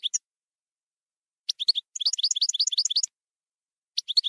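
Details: Campero European goldfinch song: a few isolated sharp tweets, then a quick run of ringing, twittering notes lasting about a second, with pauses between phrases.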